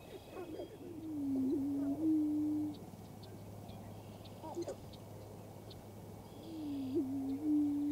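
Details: Prairie chickens displaying on a lek in western Minnesota on 11 April 2024 give low, hollow, moaning calls about 1.5 seconds long, twice in eight seconds, over a low hum, with faint clucks, snipe winnowing and sandhill cranes behind.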